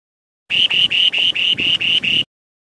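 A Spoon-billed Sandpiper sings eight buzzy, high notes at about four per second, all on one steady pitch, with no other sounds around it.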